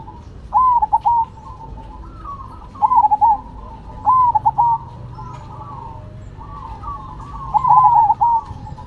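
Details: Perkutut (zebra dove) in lively song, cemani against silver: four high ringing phrases of a long note breaking into fast clipped coos, spaced one to three seconds apart, over a steady bed of distant cooing.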